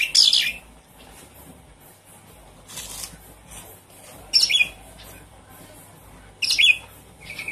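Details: Lure recording of a Javan pied starling for birds that have gone quiet: widely spaced harsh, buzzy bursts falling in pitch, with short gaps of faint background hiss.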